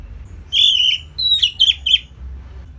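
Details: Simple training song of an Orange-headed thrush for songbirds to copy: one long, clear whistle that drifts downward, followed by three or four shorter, quickly slurred whistled notes, set against a soft low hum.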